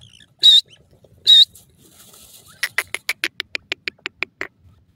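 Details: Newly hatched francolin chicks in their first days, in forest with parent birds guiding them: two loud, high, thin whistled peeps, then a rapid series of about twelve short, sharp clicking notes.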